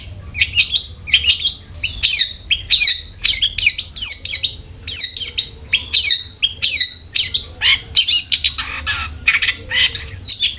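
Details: Long-tailed shrike song serving as a lure for caged shrikes: repeated phrases of sharp whistled notes and scratchy chirps, varied and lively, with a louder rasping passage near the end.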